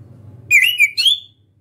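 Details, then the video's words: Orange-headed thrush, young and still learning ngeplong singing: a pair of bright whistled slurs, the first wavering and falling, the second rising smoothly, over a faint low hum. "ANIS KEMBANG BELAJAR NGEPLONG"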